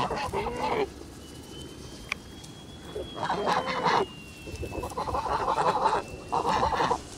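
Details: Kholmogory geese at a farm in August 2017 honk in three loud bursts of drawn-out, wavering nasal calls separated by quieter gaps, with low ambient rumble and a faint steady tone.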